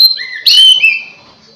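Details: Oriental magpie-robin singing as a lure for other magpie-robins: a short sequence of clear whistles followed by a loud, sliding, bright phrase that fades out.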